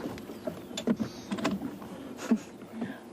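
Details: Quiet clicks, knocks and mechanical noises from a vehicle, with no animal calls.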